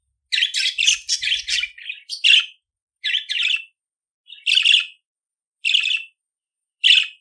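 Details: Pet budgerigar song intended to train budgies to sing: a rapid run of raspy chirps, then single scratchy notes spaced roughly a second apart, with a faint low thump early on.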